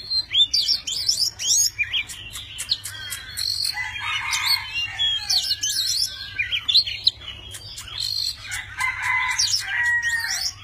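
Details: A tame Oriental magpie-robin pours out a varied song while displaying its wings and tail. Upslurred whistles, buzzy chatter and clear sustained notes alternate in lively phrases.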